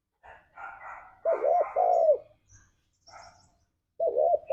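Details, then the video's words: Spotted dove song in the forest-like 'ngalas' style, used as a lure to make pet doves sing: soft, hoarse cooing phrases with drawn-out, throaty notes, one phrase near the start and another resuming at the end. "Suara Burung Tekukur Ini Pancingan Tekukur Gacor Suara Ngalas"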